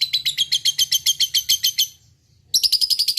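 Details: Lovebird ngekek chatter in fighting mood: a quick burst of about fifteen raspy high notes, a brief pause, then the rapid chattering resumes; low hum underneath.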